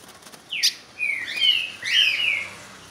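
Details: Ultramarine grosbeak singing at another bird: a short sharp note, then two sweet whistled phrases of drawn-out, gently falling notes, clear over quiet background.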